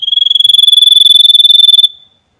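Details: White-breasted babbler (tepus dada putih, sniper), a Javan endemic of Indonesia known for rough 'nembak' shooting notes: a loud, even pulsed trill on one high pitch, about twenty beats a second for nearly two seconds, then silence.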